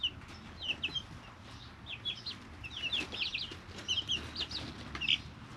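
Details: Three-week-old chicks going about their day in a brooder: scattered shrill peeps in small clusters, some quiet gaps, over low steady hum and faint taps.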